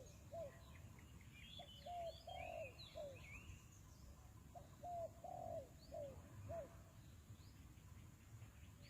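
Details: Decoy spotted dove kept for luring wild doves into traps, cooing in repeated phrases of short notes ending in a longer, slurred, falling croon, with chirping from other small birds above and a constant low background hum.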